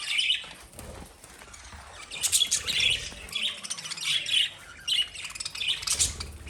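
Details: Pet lovebirds chirping: repeated bursts of shrill, squeaky chirps and brief squawks come roughly every half second, with faint rustling and low background noise between them.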